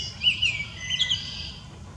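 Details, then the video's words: A Baltimore oriole sings in southeast Wisconsin, giving a few short, clear whistled notes that rise and fall, over steady background noise. "Baltimore Oriole Singing"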